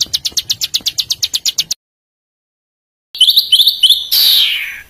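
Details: Small bird (burcil) giving harsh 'besetan' material for tutoring caged songbirds: a quick run of high clicking notes, a pause, then sharp rising chips ending in a long rasping hiss.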